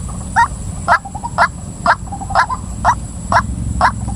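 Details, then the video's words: Female white-breasted waterhen calling a rapid series of strident, twisting notes about twice per second, each separated by soft low clucks, with a persistent high whine behind. "suara ruak ruak betina"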